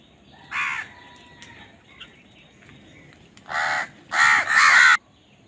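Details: Crows in a fight over food: a single harsh caw, a pause of nearly three seconds, then three coarse, grating caws in quick succession, the last ones the loudest.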